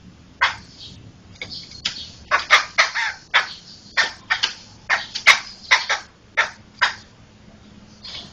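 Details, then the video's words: Laughingthrush kept as a singing bird, used as a tutor voice for training other songbirds; a series of loud, harsh, broadband cackling notes in separate bursts, about one or two per second, over a faint low hum. "Ocehan Burung Poksay"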